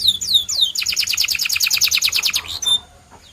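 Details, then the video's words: Singing white canary: a few falling whistles, then a fast pulsed trill lasting about two seconds, closing with one short high note. "The Best White Canary's Singing"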